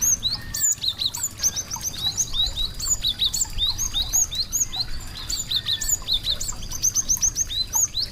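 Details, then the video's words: Little songbirds give a dense chorus of sharp, high chirps and upswept whistles, many overlapping in a busy, continuous twittering, over a low background rumble. "suara merdu burung kecil cantik"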